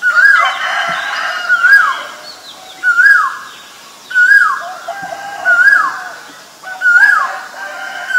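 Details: Male Asian koel calling: loud, clear whistled two-part notes, each sliding up then sharply down, repeated about every one and a half seconds in a steady series, with faint chirps of other birds in the background.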